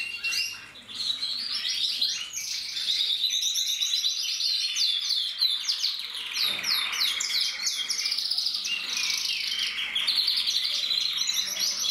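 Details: Mosaic canaries from a German breeding aviary, 2024, several birds singing together in a dense overlapping chorus of high twitters, trills and rapid chirps, continuous throughout.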